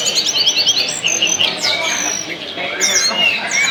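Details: Tledekan song played to provoke other birds into singing. Rapid series of short high chirps at the start, then drawn-out whistles and sharp downslurred notes among busy background twittering.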